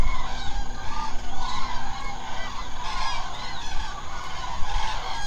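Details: A large flock of common cranes at night in the Hula Nature Reserve wetland, Israel: a continuous, overlapping chorus of loud, rolling trumpeting calls over a deep low rumble.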